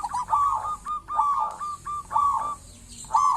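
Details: Local zebra dove singing steadily, used as a lure to get other zebra doves calling; mellow, slightly rough cooing phrases of rolled notes, four bursts about every second, each ending in a short stutter.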